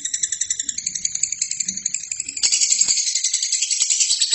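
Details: Continuous lovebird song recorded to train other birds: clipped, rattling high notes in a quick regular series, becoming louder and harsher halfway through, with scattered clicks.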